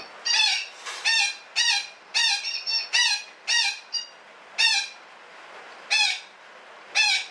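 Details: Parakeet cackling at length: about ten harsh, strident squawks in a steady series roughly every half second to second, each short and grating with strong harmonics, clear and close over low hiss.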